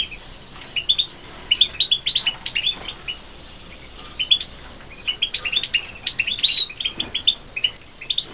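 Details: Bred in captivity in 2016, a European goldfinch (Carduelis carduelis) sings a lively stream of high, jingling chirps in quick runs, barely pausing across the passage.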